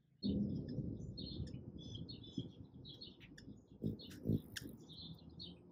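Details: Ruby-throated Hummingbirds at a feeder in Ohio, morning: quick, high, scratchy chip bursts repeated throughout, over a heavy low rumble and hum from wings and close handling of the phone.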